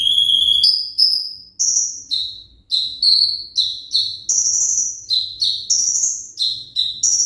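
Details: Konin olive-backed sunbird, ringgit type, kept in a cage, pouring out a lively sequence of clear high whistles that jump between pitches, several notes per second.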